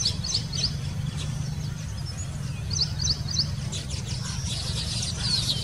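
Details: Baya weaver calls: short, thin, high chirps in quick bursts, repeated several times, heard over a steady low rumble of background noise.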